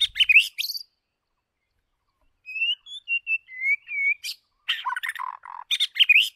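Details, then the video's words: Singing White-rumped shama decoy bird: a harsh scratchy burst, silence, then a string of short clear whistles, followed by dense chattering and buzzy notes mixed with whistles. "Chòe lửa Mồi hót cực đỉnh ✦ Luyện giọng chòe lửa"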